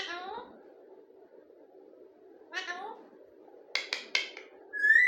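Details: A talking parrot gives two drawn-out, rising-then-falling harmonic cries, then a pair of sharp clicks and a short high whistled note at the end, over a steady low indoor hum.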